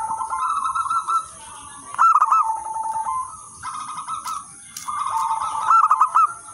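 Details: Local wild-type zebra doves singing actively, offered as a lure and tutor song for other zebra doves; rolling, quavering coos in overlapping phrases with short pauses between bursts, over a steady high-pitched whine.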